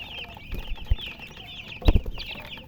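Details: Colour chickens give bright, short chirps in loose bursts, broken by a few loud dull knocks and thumps close by.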